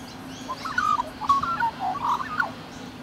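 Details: Bonded rainbow lorikeets from Australia preening each other affectionately, giving a dense string of quick squeaky, twittering notes that wobble up and down, closely spaced for about two seconds, with a constant low background hum.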